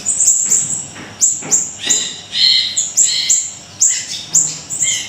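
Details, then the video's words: A lively Siri-siri kecil, offered as a lure and tutor recording, gives rapid high chirps mixed with fuller warbled notes, roughly two or three per second, continuous and bright. "Siri-Siri Kecil Gacor,, Tembakan Dahsyat Mbeset"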